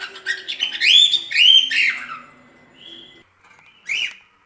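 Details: Cockatiel whistling to teach chicks its song: two clear rising whistled phrases, a soft sustained tone, then one short sharp whistle after a pause.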